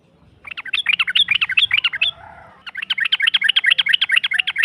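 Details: Yellow-vented bulbul in long 'ropel' rapid-fire song, played to rile a rival into replying: dense fast runs of bubbly, jumbled notes, broken by a short pause, then another rapid burst.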